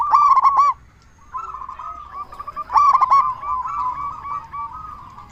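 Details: Loud-voiced local zebra dove from Indonesia, recorded as a lure to make other doves reply: a strong burst of rapid rolling coos, a quieter wavering trill, then another loud bubbly burst followed by softer trills.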